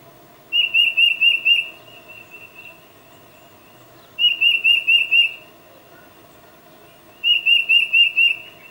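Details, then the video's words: A tufted titmouse calls to its mate, recorded on a Nikon D800 with a 600mm lens. Three bursts of about five sharp whistled notes, each burst roughly three seconds apart, with softer trailing whistles after the first. "Tufted Titmouse Calling Its Mate"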